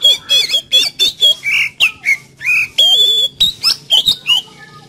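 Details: Oriental magpie-robin, a kept bird, singing full energy to spur other magpie-robins to open up: fast alternating whistles, buzzy squawks and looping slurred notes, roughly four bursts per second, loud and continuous.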